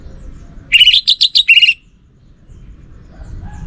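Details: Orange-headed thrush, a kept songbird, singing nonstop: one loud burst of about six quick, rich whistled notes with buzzy edges, packed into one second, then quiet with low background hum.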